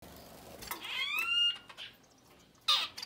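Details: Society finch chicks up to ten days old: a faint hiss, then a loud rising, harmonic, buzzy call lasting about half a second, and a short harsh burst near the end.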